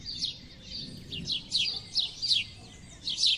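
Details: Sparrow song from house sparrows, a run of bright high chirps slurring downward, several in quick pairs, with a faint steady hum underneath.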